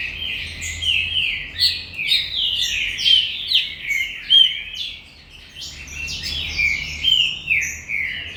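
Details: Green-winged saltator from a commercial breeder singing a busy run of whistled, slurred phrases in rhythmic bursts, a brief softer pause midway, then resuming.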